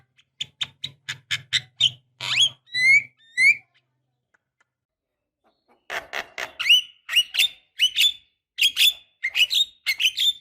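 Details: Female Asian pied starling calling the male, used to provoke singing: a rapid series of harsh notes with a low buzz, sharp upslurred whistles, a pause, then loud chattering bursts mixed with rising whistles.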